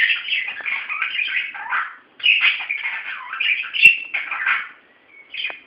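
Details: Pet budgerigars playing excitedly, giving a fast, continuous warbling chatter of scratchy chirps, squeaks and twittering phrases in two bursts, with a sharp click and a short high whistle near the end.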